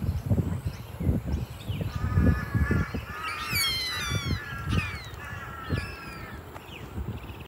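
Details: Black swan at Currumbin Wildlife Sanctuary on Australia's Gold Coast, cleaning itself among other birds: a run of nasal, harmonic, trumpet-like notes, some wavering up and down, over steady low rumble and scattered thumps.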